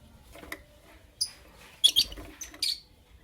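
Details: Sharp, high-pitched chirps from creamino and lutino opaline lovebirds in the morning: an isolated chirp, then a close pair and a final chirp, spaced over about a second and a half.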